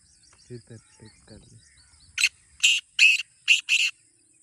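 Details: Black francolin (kala teetar) call, used to encourage kept birds to call: soft low clicks at first, then a harsh series of five scratchy, grating notes, the last two run close together.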